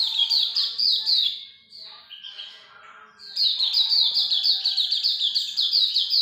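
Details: Hume's white-eye pouring out fast, sharp, high descending chirps, dropping to a softer, lower warble midway, then resuming a dense stream of bright repeated notes.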